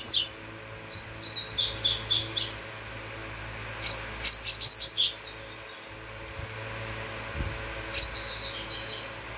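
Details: Double-collared seedeater sings a series of high repeated whistled notes, then a burst of quick sharp chips, then another short phrase, with a steady low background hum.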